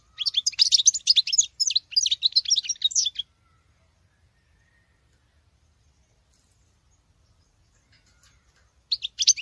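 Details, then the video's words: Female European goldfinch, kept as a cage bird, singing like a male: a rapid, jumbled burst of high twittering and tinkling notes for about three seconds, then silence, with a short twittering phrase resuming at the end. "Femelle chardonneret qui chante que le mâle"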